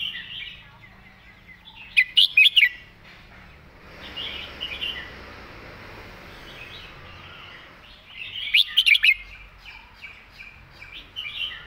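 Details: Red-whiskered bulbul kept in a cage, delivering clear master-song phrasing: two quick bursts of sharp warbled notes about six seconds apart, with softer chattering between and a hiss of background noise.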